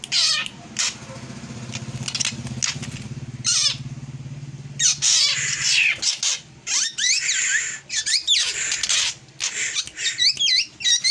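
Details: Unusual drongo song: an irregular stream of high, rapidly modulated whistles and harsh scratchy bursts, some notes sweeping down steeply, with a steady low engine-like hum underneath for the first half.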